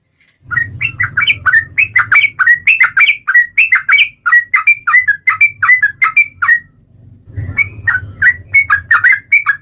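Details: Yellow-vented bulbul, known locally as trucukan, singing a long, lively lure song: a continuous rapid string of varied whistled and chirping notes, broken by a brief pause, over a low rumbling hum.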